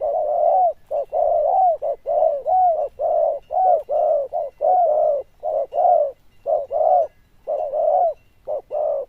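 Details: Loud bell-voiced zebra dove delivering a long, rapid series of clipped mid-pitched coos, short notes alternating with slightly longer rolled ones, almost without pause, in a quiet setting.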